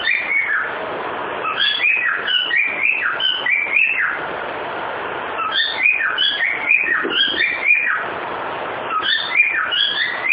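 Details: Cockatiel kept as a pet, singing the tune 'Ô bate o pé' in a long series of clear whistled notes that swoop up and down, phrase after phrase, with soft background hiss.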